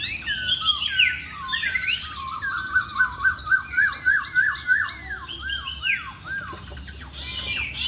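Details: Masked laughingthrush in full, lively song, used to prompt silent birds into singing: a varied run of clear whistles, then a fast series of identical down-slurred notes and looping phrases.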